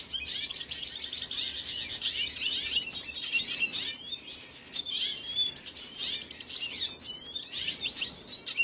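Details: Red siskin (Venezuelan) singing, recorded 25 June 2022: a continuous, rapid, high twittering of tangled chirps and buzzy trills, with sharp notes sweeping up and down and little pause throughout.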